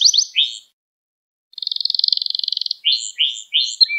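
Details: Gloster canary singing to rouse other canaries: a few swept chirps, a brief pause, then a long even high trill followed by short descending slurred notes.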